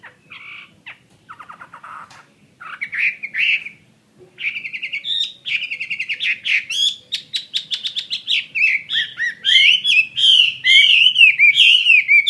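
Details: Captive fighting Chinese hwamei singing varied phrases. Scratchy rattles and short whistles build into a long run of loud, rich, rolling whistled notes mixed with buzzy overtones that grows stronger toward the end.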